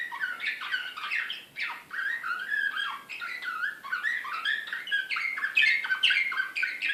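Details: Canary of Serbian nightingale-song type, Belgrade 2016, delivering a continuous varied warble of quick rolling trills, slurred whistles and chattering notes at a lively pace.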